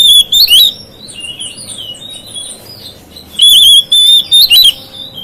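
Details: Song of an Oriental magpie-robin that is said to trigger other magpie-robins: a brief loud whistle at the start, soft slurred notes, then a longer run of strong, trilled, wavering whistles.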